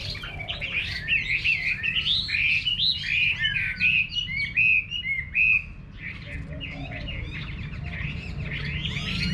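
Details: Chinese hwamei singing in a countryside garden in Vietnam: rich, varied whistled phrases with rising and falling slurs, loud for about five seconds, then softer distant notes; low background hum.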